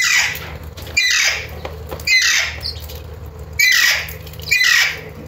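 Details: Alexandrine parakeet (Psittacula eupatria) calling repeatedly: five loud, harsh, grating squawks roughly once a second, each sharp at onset and fading, over a faint low hum.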